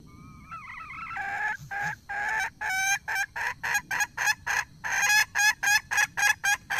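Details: Red junglefowl hen, wild, giving a run of loud clucking calls: a wavering lead-in note followed by quick, evenly spaced harsh clucks, about four each second, over faint low background noise.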